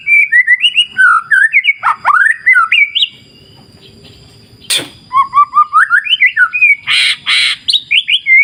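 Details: White-rumped shama song used as a lure to make birds sing: rich fluting whistles in quick varied phrases, rising and falling slurs, a brief pause midway, then harsher buzzy notes and whistles resuming.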